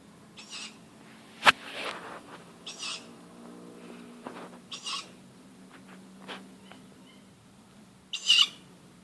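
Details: Tawny owl calling at nearly midnight in darkness from an oak tree outside a house: several short, harsh, hissing screeches spaced one to three seconds apart, with a sharp click and low background hum.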